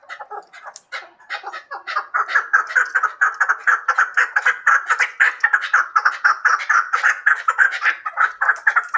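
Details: A hybrid chukar partridge starts with scattered hoarse notes, then builds into a fast, pulsing chatter of rasping clucks, about two per second, lasting several seconds.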